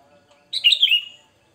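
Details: Sooty-headed bulbul sound used to lure birds: a single short, liquid phrase of bright warbled notes that slides downward, with near silence around it.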